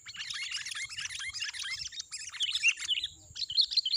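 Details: Wild sooty-headed bulbul, possibly a fighting bird, at a young oil-palm plantation during trapping: busy stream of bright chirps and short liquid whistles, other birds chattering alongside, steady high insect-like hiss behind; finding: Sooty-headed bulbul.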